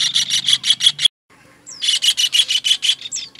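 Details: Kingfisher, recorded as a master for training songbirds: loud buzzy notes in a quick even run, an abrupt break, then another series with a couple of thin descending whistles.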